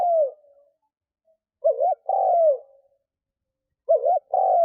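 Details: Lure spotted dove, cooing to attract wild doves. The tail of one falling coo is followed by two full phrases, each a quick wavering double note and then a drawn-out, descending, throaty coo, with a quiet pause between.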